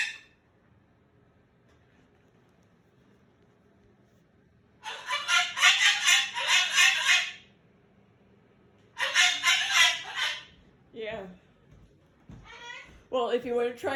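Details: A pet male Moluccan cockatoo refusing to go to bed and enter his cage screams in two long, harsh, rasping bouts separated by quiet, followed by a person talking.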